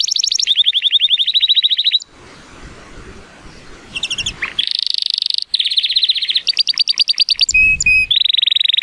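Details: Male Timbrado Español canary, born 2018 and rated 83 points, sings a powerful training song on a sunny day: fast rolling trills and buzzy tours in long bursts, a brief hiss-filled pause, then varied rattling rolls and short whistled notes.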